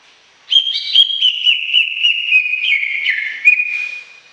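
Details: Greater green leafbird in full, lively song: a rapid run of clear whistled notes, stepping gradually down in pitch over about four seconds, with quick chirpy flourishes on top and a clean, quiet background.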